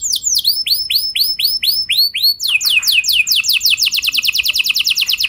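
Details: Canary song played to provoke other canaries into rolling song: a string of clear upswept whistles, then a fast, accelerating roll of steep downslurred notes.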